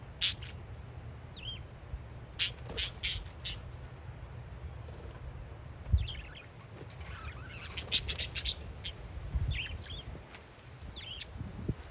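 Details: Parakeets outdoors on a windy day give scattered sharp, high chirps and squeaky rising notes, some in quick bursts, over a steady low rumble of wind.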